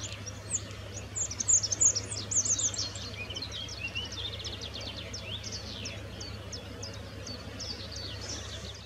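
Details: Rock bunting in the Moselle valley near Valwig, Germany, giving thin, very high 'zip' notes in quick bursts, loudest early on, then fainter sharp ticks continue over a steady low hum.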